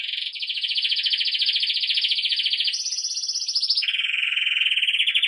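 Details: Belgian canary song for training young birds: unbroken rolling trills, a long steady roll rising to a higher tour, then dropping to a lower rattle.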